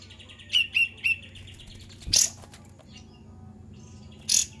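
Cream-vented Bulbul giving three quick, bright chirped notes in a row, followed by two harsher, louder bursts spaced about two seconds apart.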